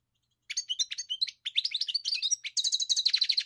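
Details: After a short silence a European goldfinch bursts into rapid twittering, liquid chirps speeding up and ending in a fast, ringing trill of repeated high notes.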